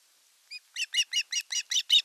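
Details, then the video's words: Ospreys at a Satakunta nest, Western Finland, 5 August 2024, during a fish delivery in which the elder chick attacks the younger. A single soft note, then a quick string of loud, slightly downslurred high chirps. "Elder osprey chick attack on young chick during fish delivery"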